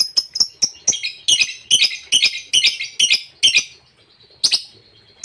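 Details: Lovebird giving a long ngekek chatter, used to provoke rival birds and stir stalled lovebirds: rapid, high, buzzy chattering notes in quick bursts for about four seconds, then a pause and one last harsh burst.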